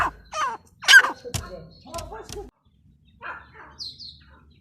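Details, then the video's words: A female grey francolin (teetar) gives a burst of harsh, scratchy notes over about two seconds, then softer calls and a pair of thin squeaks after a brief pause. "gray francoline teetar sound | female teetar awaz"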